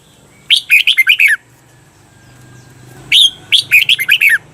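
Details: Red-whiskered bulbul kept as a cage bird, played as a training recording to teach the doubled "bernl" song style: two loud bursts of five or six quick warbled notes, each falling from high to lower pitch, with a quiet pause between.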